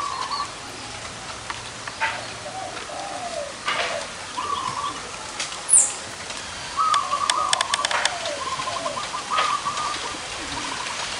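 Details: Zebra doves with large and small voices gathered at a bird-catching site. Trilled, bubbling coo phrases repeat every three seconds or so, with softer low coos between them. Faint chirps, wingbeats and outdoor background noise are also heard.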